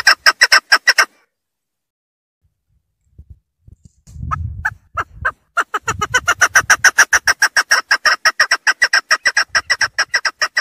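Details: Female chukar clucking in fast raspy bursts, broken by a pause with low rumbling handling noise, then resuming as a long rapid series of harsh chuk notes.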